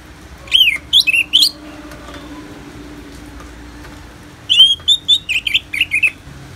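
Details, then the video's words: Ngeplong-style song of an orange-headed thrush, recorded for therapy with natural rain: three bright slurred whistles, a three-second pause, then a quicker burst of about seven looping whistled notes, with steady low hiss behind. "Terapi ANIS MERAH Ngeplong dan Suara Hujan ALAMI"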